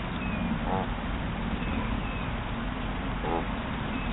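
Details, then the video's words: One of two geese, suddenly territorial, three feet from a trail camera: two short, harmonic honks roughly two and a half seconds apart, set against steady low rumbling background noise. "Up-Close Geese Honking and Blowing Raspberries"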